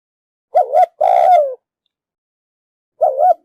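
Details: Female spotted dove calling to stimulate the male: a mellow two-part coo, a short wavering note then a longer falling one, repeated once after a pause, clean and quiet background.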